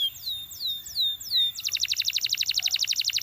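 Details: Canary song beginning with four drawn-out, downslurred whistles over a thin steady tone, then breaking into a fast, even, pulsing trill.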